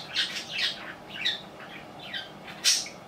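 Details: Pet budgerigar, three years and five months old, kept indoors in cold weather: bright warbled chirps sweeping up and down, in bursts about every half second, ending on one sharp high squawk.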